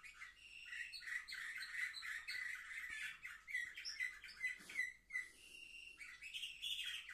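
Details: Young canaries aged seven months, recorded on 10 November 2023. They give a chattering, rolling song with repeated trilled notes. A brief rustle interrupts midway before the bird resumes with higher whistles.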